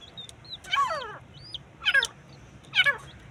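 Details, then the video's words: Three loud, grating calls from fighting partridges, each sliding quickly downward, roughly one per second, with brief high chirps from other birds between them. "تیتر کا جھگڑا 🔥 اصل وائس! | Viral Teetar Fight Sound 2025"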